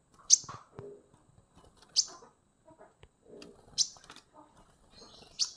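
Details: Konin at 15 days, listed as a wild songbird: sharp, bright high chirps burst out roughly every one and a half seconds, with soft low twitters and rustling scattered in between.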